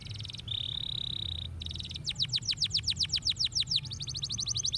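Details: Canary song used to stimulate other birds: pulsed high trills around a steady buzzy roll, then a run of descending whistled sweeps and a fast closing trill.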